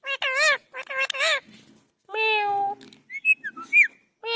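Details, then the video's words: A parrot imitating speech, producing voiced, word-like phrases with wavering tone, a longer steady vowel-like sound, then several short whistled squeaks, all clear and close with a quiet background. "Funny Parrots talking"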